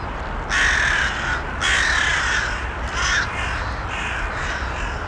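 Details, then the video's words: Crows give harsh, hoarse caws, each about a second long, in loose series of three or four with short gaps, over a steady low background rumble. "Ambient Sounds Of The Crows"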